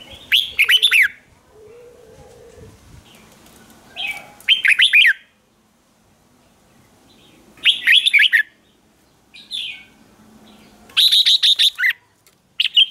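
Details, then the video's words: Lure recording of a red-whiskered bulbul meant to draw in wild birds, without background noise: short, dense phrases of sharp chirped and whistled notes arrive every three to four seconds, separated by near silence with a faint low hum. "Chào mào mồi gọi bổi không tạp âm, tiếng chào mào mồi"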